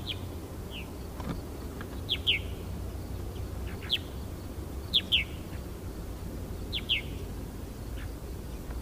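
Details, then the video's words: Purple martins singing a lovely liquid song on the Fraser River at Iona on 10 August: short, rich chirps, often doubled and dropping in pitch, spaced every second or two over a steady low rumble. "Purple martins singing"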